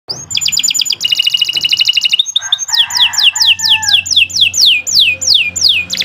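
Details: Long, loud canary song used as a master tutor for other birds: fast rattling trills at high pitch, then a run of downward-sweeping whistled notes repeated about twice a second, with a soft low hum beneath.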